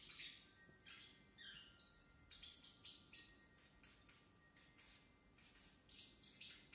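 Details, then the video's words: Young pet parrotlet, still a baby, in early attempts at talking: soft, breathy, high chirps and scratchy syllables in short clusters with brief pauses, quiet indoors. "Parrotlet talking"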